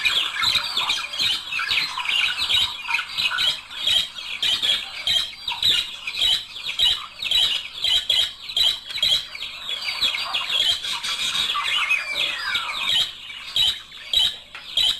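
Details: A budgerigar couple singing to prompt mating. Squeaky chatter and warbling turn into a run of short, regular chirp bursts, about fifty a minute, with soft clicking between them.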